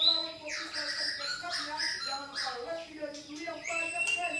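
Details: Song of a White-rumped shama, used as a lure to make a caged shama answer: rich sequences of rising and falling whistles and quick chirps over a constant low droning tone.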